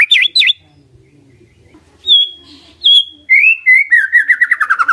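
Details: Lure song of a white-rumped shama aimed at triggering an answer: two sharp V-shaped notes, a pause, two long pure whistles, then a fast descending rattling trill.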